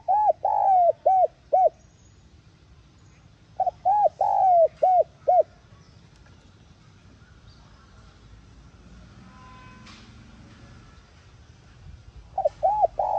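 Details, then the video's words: Spotted dove coo phrases played to spur a decoy bird into singing: three bursts of short, arched, hollow coos about four seconds apart, each of four or five notes, with a faint click midway and quiet background. "Tiếng Cu Gáy Hạp BổI [ TGÁY GỌI ] Kích Bổi Nhanh Nổi"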